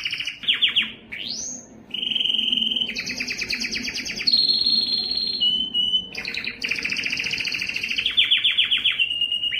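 A canary sings a long, varied song of rapid rolling trills, buzzy rattles and pure whistled notes, switching pitch every second or two.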